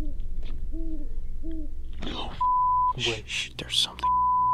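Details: An owl at a lake gives three soft, low, rounded hoots about half a second apart. A steady electronic beep and a man's hushed voice follow; a viewer suspects a faint "uhhh" nearby may also be an owl.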